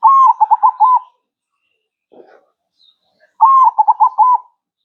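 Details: Perkutut, or zebra dove, in lively manggung singing for a masteran recording: two loud phrases, each a drawn-out first coo followed by four rapid pulsing coos. A soft low rustle falls in the quiet gap between them.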